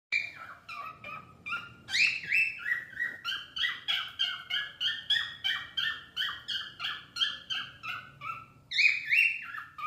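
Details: Pet cockatiels (Nymphicus hollandicus) sing a fast string of bright, chirping whistles, about three notes a second, with swooping rising and falling notes running on without pause.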